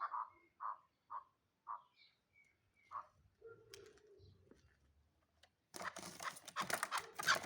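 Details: Young hybrid chukar partridge, not yet fully mature, kept as a fighting bird, giving a series of short, clipped notes about half a second apart, then a lower drawn sound, followed by loud clattering handling noise.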